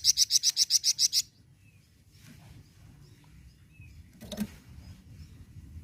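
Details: Flamboyan bird song used to stimulate captive birds to sing: a quick series of about eight sharp, high chip notes in just over a second, then quiet background with faint distant sounds.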